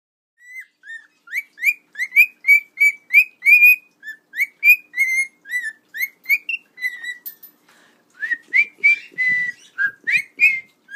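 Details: A pet cockatiel (male, Sunny), originally from a pet store, whistles a quick run of clear, rising and falling notes with a few soft clicks; owner talks to him afterward.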